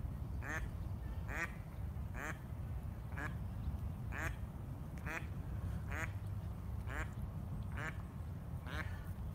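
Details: A mother duck with ducklings in a fountain quacks about ten times at an intruding heron before chasing it off, giving harsh nasal quacks about once a second over a steady low rumble of wind or handling noise.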